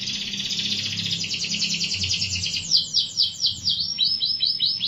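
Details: Canary delivering a long buzzy rolling trill that shifts into a run of distinct high downward-slurred notes, repeated about four times a second, over a faint low hum.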